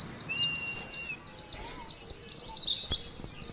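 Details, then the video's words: Continuous high, scratchy twitter from an Oriental white-eye, used as audio therapy for a colony of caged birds, with a faint level whistle early on and soft clicks underneath. "TERAPI ADU NGALAS SAAT KOLONI PLECI"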